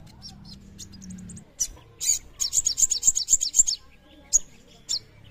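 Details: Crested jay (sogon) singing actively while swaying: a quick series of very high, sharp ticking chirps, several per second, then a few scattered single chirps over faint background noise.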